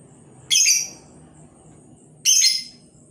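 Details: Lure labet bird calling to draw in other labet birds: two loud, harsh, high-pitched raspy bursts about two seconds apart, each fading quickly, over a faint low background hum.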